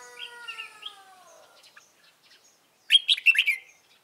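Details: Decoy trapping of a white-cheeked red-whiskered bulbul, 26 June 2018. Steady tonal music fades out, then a sharp, rapid warbling burst of four or five bright notes follows.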